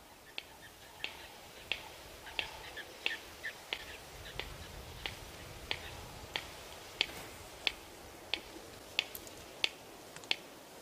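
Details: A female Red-crested Korhaan on a sunrise drive in mating-display season gives a run of sharp, dry clicks, about one every two-thirds of a second, with her crest not raised, against a quiet background.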